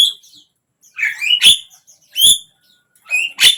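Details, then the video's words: Javan myna song meant to coax a mute bird into singing: a few separate harsh, squeaky rising notes, each with bright high overtones, spaced about a second apart. "suara JALAK KEBO BISU BIAR IKUT BUKA PARUH"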